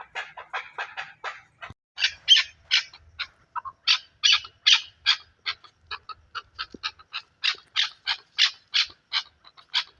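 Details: Chukar partridge associated with Pakistan uttering a chattering sequence of sharp notes, softer at first and then louder and more evenly spaced, followed by a quiet background.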